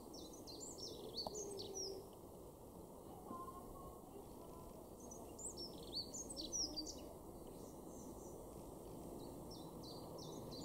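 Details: A dunnock in a garden in Weener, East Frisia, northwest Germany, in May 2022, gives two quick, high, jingling warbles of about two seconds each over a steady hiss and low rumble.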